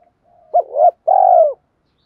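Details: Spotted dove decoy call used to lure wild doves. One phrase: a short hooked coo, then a rising note, then a long, level, mellow coo that falls slightly at the end.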